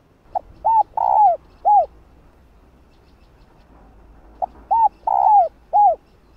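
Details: A hen spotted dove calls a male with two matching phrases about three and a half seconds apart. Each has a short note, an arched coo, a long falling coo and a final hoot, soft and hollow.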